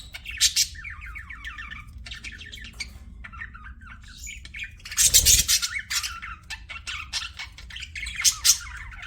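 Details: Pet budgies chirping in bursts: short raspy squawks and quick warbled phrases separated by brief pauses, with a loud broadband burst near the middle.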